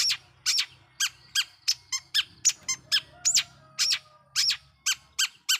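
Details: Long-tailed shrike lure song for provoking other shrikes: quick harsh chirps and buzzy notes in a steady, rapid sequence over a low indoor hum.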